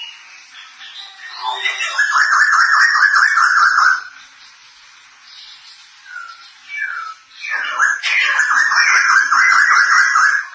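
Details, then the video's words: Caged White-crested laughingthrush, known locally as poksay jambul, a Thai variety kept as a songbird, singing loud and lively with ngekek laughing bursts: two long runs of rapid repeated chattering notes, separated by brief softer whistled phrases. "Suara Poksay Jambul Thailand Gacor Dan Ngekek"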